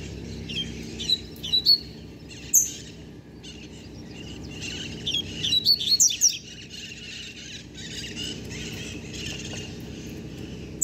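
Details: Young novice double-collared seedeater, under a year old, kept by a bird keeper, singing a fully learned song: two bursts of high twittering, buzzy notes near one and five-to-six seconds, over steady background hiss.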